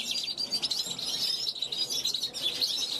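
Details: Caged European goldfinch hatched in 2021, calling from a balcony toward passing wild goldfinches; a fast, bright twittering stream of high tinkling notes and short buzzy trills.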